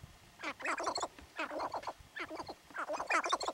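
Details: Territorial sharp-tailed grouse in the North Unit of Theodore Roosevelt National Park, giving loud, fast chattering cackles in rhythmic runs of notes, about three or four bursts in quick succession.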